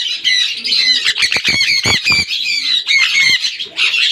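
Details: Sun conure calls: loud, grating, high squawks in quick overlapping bursts, broken by several short broadband rustles like wing flaps.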